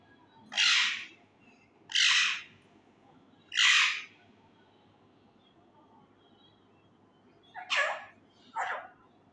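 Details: Male Indian ringneck parakeet, kept as a pet and learning to talk, gives five loud, harsh squawks: three evenly spaced bursts, a pause, then two shorter ones close together.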